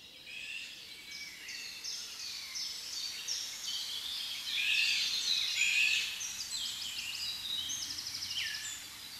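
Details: Eurasian golden orioles, adults with three young after successful breeding, in Nieuwdonkbos woodland at Berlare; a busy run of high chirps, short slurred whistles and scratchy notes, overlapping and repeated several times a second, louder in the middle.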